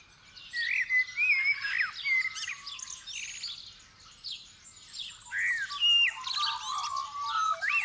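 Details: Dawn chorus on 8 December 2019, light just appearing: a common blackbird delivers a string of warm fluted, rising and falling phrases, each tailed by shrill twitters, amid steady chirps of other birds; Superlux 524D stereo mic with Roland interface and iPhone.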